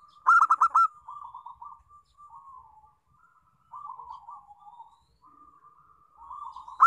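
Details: Local zebra dove singing as a lure for other doves: a loud burst of four quick ringing notes opens, followed by soft trilled purring coos, with another loud note starting at the end.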